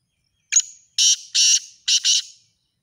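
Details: Black francolin, known locally as kala teetar, giving its chakri-tournament calling style. A thin opening click leads into four loud rasping notes, two evenly spaced, then a close-linked pair. Quiet background.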